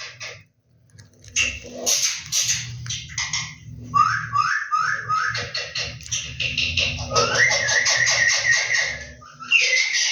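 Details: Two pet Indian ringneck parakeets, green and yellow, talking: jumbled, speech-like chatter with harsh bursts, a run of short rising notes, then a long buzzy harmonic stretch over a low steady hum.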